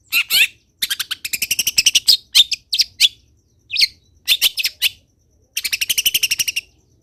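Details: Lively long-tailed shrike song with rich varied phrasing, used to get other shrikes singing: long rapid trains of evenly repeated rattling notes broken by sweeping harsh calls and brief pauses.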